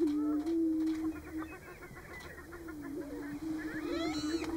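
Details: Greater prairie-chickens displaying at a lek (booming ground) in Nebraska in March: a low, steady hooting moan held almost throughout, with overlapping callers. Short higher cackling notes are mixed in, and a faint steady high hum runs behind.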